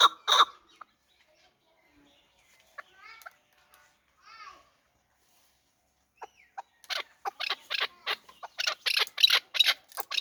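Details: Hybrid fighting chukar partridge, a chick from last year, gives a few short calls separated by long quiet gaps, then breaks into a fast run of harsh, clucking pulses over the last three seconds.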